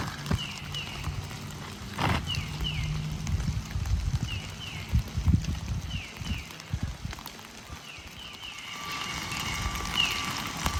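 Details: A tufted titmouse at a rundown rural house, as winter turns to spring, repeats short, clear, down-slurred whistled phrases every second or two, over low thumping, clip-clopping hooves and rural background noise.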